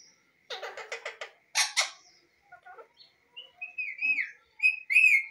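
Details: Pet Indian Ringneck parakeet talking: a run of rapid harsh, raspy syllables, a longer scratchy phrase, then soft clicks and a series of rising and falling whistled notes in a quiet room.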